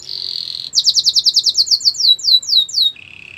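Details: Canary song for training: a buzzy trill, then a quick run of high downslurred notes slowing toward the end, finishing with a low steady trill.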